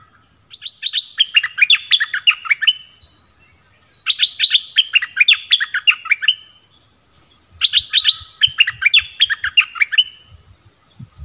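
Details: Orange-headed thrush of the southern type, a song used for luring wild birds and training young birds: three long phrases of rapid, tumbling chirps, each lasting about two seconds, repeated every three and a half seconds, with faint low rumble.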